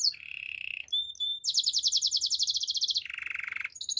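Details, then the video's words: Gloster canary singing, offered for training canaries to sing: a clear trill near the top, a steady buzzy roll, then a fast high pulsed trill of about fourteen beats that drops into a lower rattling roll. "Gloster canary singing"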